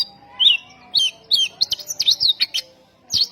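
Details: Lure song of an Oriental magpie-robin meant to rouse rival magpie-robins: a clear whistled slur, then a rapid string of sweeping, chirping notes and a final rising phrase.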